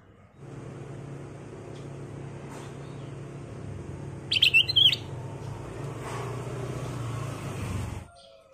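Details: Brief chattering burst of four or five sharp notes from a black-crested bulbul, sung as a lure song, set in a long stretch of steady rumbling background noise.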